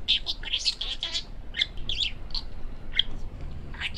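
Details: Male parakeet kept as a pet chatters in rapid, speech-like phrases. High, buzzy syllables are broken by sharp squeaky notes and a short lull before the babbling resumes.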